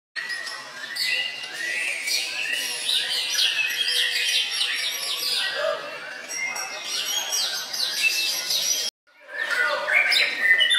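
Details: White-rumped shama (murai batu) at a singing contest, second place in the main class, Sunday 21 January, Puspa Agro, Jemundo, Sidoarjo, Indonesia: dense overlapping whistled phrases and rapid chattering trills from several birds, with a brief cut near the end.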